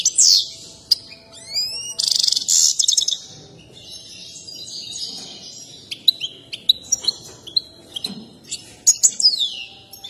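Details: Excited goldfinch singing with a dance favoured by breeders; swooping upslurred whistles and a buzzy rattling burst open, followed by quieter twitter and clipped chirps, ending in another downslurred phrase.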